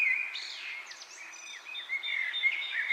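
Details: Bird chirping with wind in the leaves: varied whistled and sliding chirps, rising and falling, overlapping in a busy stream, with a steady high thin tone in the background.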